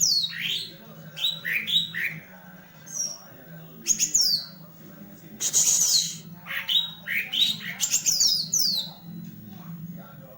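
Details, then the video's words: Green leafbird performing with a fanned tail: a busy, varied outpouring of squawky slurred notes, high whistles and chattering bursts, with brief pauses and a constant low hum beneath. "CUCAK IJO MAIN EKOR NGIPAS"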